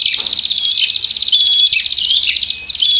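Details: A fighting prinia pours out a high, insect-like churring trill. The stream of rapid pulses runs almost without pause, with a few sharp ticks.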